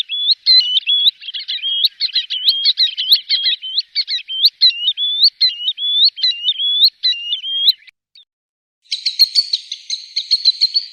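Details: Green sandpiper, a call used as a hunting lure, giving quick, clear whistled notes with an upward flick, run together for about eight seconds, then a brief pause and a harsher, crowded burst.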